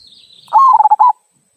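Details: A local zebra dove delivers the "kung" song that prompts other birds to sing: a faint high chirping fades out, then one loud phrase, a steady coo breaking into a quick stuttering trill and closing coo.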